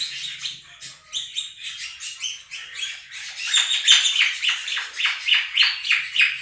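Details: Household Quaker parrots, a pair, calling over budgerigar chatter played to them; softer rapid chirps build after a few seconds into louder, evenly spaced harsh shrieks.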